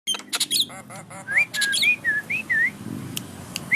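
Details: Javan myna bobbing its head while singing: a jumble of harsh broadband notes, then a series of clear whistled slurs, some rising and some falling, each lasting about a quarter second.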